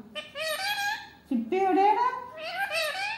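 An Indian ringneck parakeet talks in three quick bursts of nasal, speech-like phrases. The voice is reedy and high, with rising and falling inflection, in a small quiet room.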